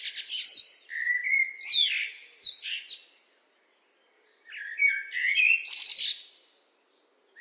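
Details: Blackbird singing two phrases separated by a brief pause, each opening with low, mellow fluted whistles and ending in a high, squeaky, scratchy twitter, with a new phrase just starting at the end.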